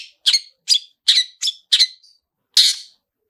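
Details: Long-tailed shrike (cendet) lure sound meant to trigger singing: six harsh, buzzy "toet" notes about every third of a second, then a pause and one longer rasping note.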